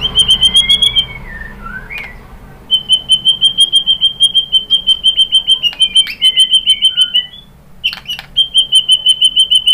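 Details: White-rumped shama provoking song: a long, steady, high trill of rapid identical pulses, broken by a few drooping slurred whistles and sharp clicks, then the pulsing trill resumes.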